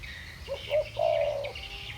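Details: Single spotted dove coo phrase, 'thổ bầu' voice style, from two birds calling against each other: two short soft notes, then a long steady coo lasting about half a second, with faint high chirps behind.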